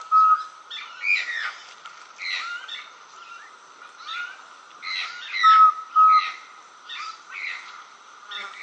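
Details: Song of the least pygmy owl, recorded in Brazil: short, even whistled toots repeated at a steady pace, some close and loud, others fainter, over a dense chorus of higher chirping birds.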